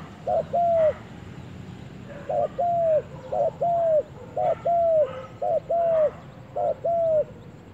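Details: Spotted dove on its first trip to the forest, calling steadily: low cooing pairs, a short burry note then a longer arched coo, repeated six times at about one-second intervals over quiet background hiss.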